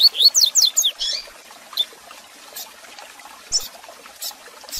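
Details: Double-collared seedeater tutor song in the Tui Tui Zel Zel style with chirps, for young males to learn; opens with a loud rapid run of high, sweeping slurred notes, followed by a few isolated short chirps and faint ticks.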